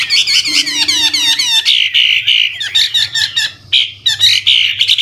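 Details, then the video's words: Chinese hwamei, old wild bird, singing varied phrases to get young birds singing; fast run of sharp falling whistles, then bursts of rich warbling notes separated by brief pauses. "Tiếng chim họa mi mồi già rừng hót luyến láy đảo giọng liên tục, giúp kích chim bổi nhanh hót"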